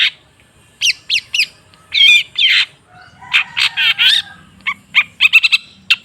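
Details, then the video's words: Long-tailed shrike song played as a lure to get a silent shrike singing: wavering scratchy phrases and harsh rasps, followed by a fast run of sharp clipped chips. "Suara TERAPI pancingan cendet macet supaya rajin bunyi..!!!"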